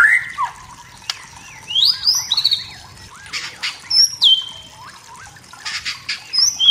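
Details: Wild forest white-rumped shama singing to provoke rivals: scattered high whistles and slurred notes separated by quiet gaps, with bursts of broadband rustling noise.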